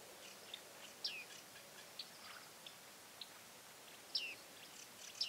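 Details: Bearded tit fledglings recorded in 2017 give scattered, sharp pinging calls that slur downward, irregularly about once a second, with quiet gaps between them.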